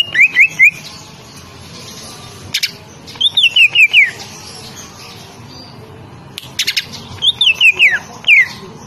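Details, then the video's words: Female greater green leafbird from Banyuwangi, a caged bird used to stimulate other leafbirds, sings short bursts of bright high whistles, each note slurring downward, in phrases of three to five notes separated by pauses and a few sharp clicks. "Cucak Ijo Banyuwangi Gacor"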